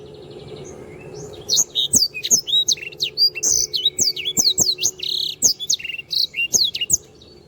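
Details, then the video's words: Sanger (black-throated canary) singing vigorously for training birds: a long, continuous chatter of high chirps, trills and slurred whistles with occasional soft clicks and a low hum behind. "sanger gacor"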